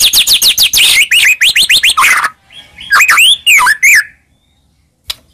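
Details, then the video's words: Lure song of a white-rumped shama meant to set off a silent bird: a quick series of about a dozen upswept whistles, then a few rich slurred notes and a faint final click. "Pancingan Handal Buat Murai Diam Seketika Langsung Emosi"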